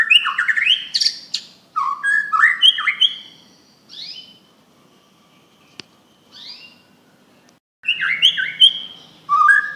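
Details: A Bornean white-rumped shama sings loud, rich whistled phrases broken by sharp clicks and short pauses.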